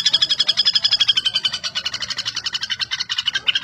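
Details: Rapid dry rattle of a common flameback (pelatuk bawang), a bird used to train contest songbirds: a long run of high, clipped notes repeated several times a second, steady in pitch, fading slightly toward the end.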